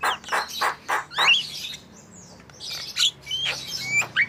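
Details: Javan myna singing to prompt other birds to sing: several hoarse, grating notes, a short pause, then thin whistles and scratchy calls.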